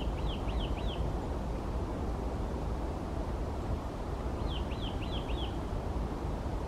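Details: Eurasian nuthatch song on a winter morning, 15 January 2020: two short bursts of three or four clear, upslurred whistles, several seconds apart, over a steady low rumble of wind or distant traffic.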